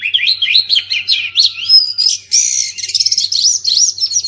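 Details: Oriental magpie-robin song for coaxing silent birds: a quick series of upslurred chirps, a pure rising whistle, then a harsh buzzy rattle and further twittering notes. A soft low hum continues throughout.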